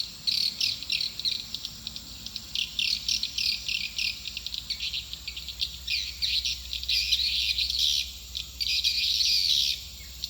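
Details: Lure sound for bringing swiftlets to a nest house: rapid, uneven high chirps and twitters, building to a dense, louder burst near the end, over a deep steady hum.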